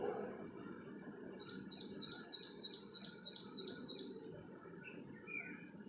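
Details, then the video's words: Bird chirping in the early morning, a single run of about nine quick, bright, high-pitched notes at an even pace, then a few softer calls, over low outdoor background noise. "Bird Chirping"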